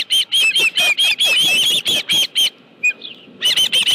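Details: Osprey calling at its ranch nest as a live fish arrives, 25 July 2018: fast series of piercing whistled chirps, a one-second lull with a faint single note, then renewed rapid calling.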